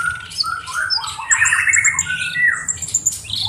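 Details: Black-browed reed warbler delivering scratchy, squawky phrases with mid-pitched grating notes and high thin whistles, steady and loud throughout.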